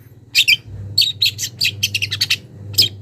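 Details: Young wild long-tailed shrike calling a rival, starting to bring out its mimicry: a rapid run of dry, raspy chirps after two sharp opening notes, one more harsh note at the end, with a constant low hum.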